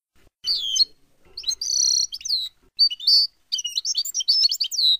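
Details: European goldfinch delivering a Palestinian-style song meant for training chicks; loud continuous high twittering with liquid trills, buzzy sustained notes and rapid chirp runs flowing for several seconds.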